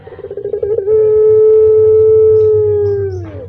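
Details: Barbary dove, Indonesian puter pelung with its black collar, delivers a burst of fast rolled pulses followed by a long, level, sustained coo that slides down at the finish, over low background hum.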